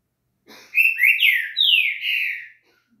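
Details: A trinca-ferro, or Green-winged saltator, sings to get another bird singing: a soft lead-in, then a strong run of full whistled notes that rise and then sweep downward, ending in a long falling whistle.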